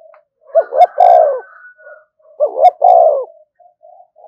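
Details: Spotted dove giving a call used to provoke other doves: two quick low coos followed by a longer drawn-out descending coo, the three-part phrase given twice about two seconds apart, with a faint thin steady tone in the background.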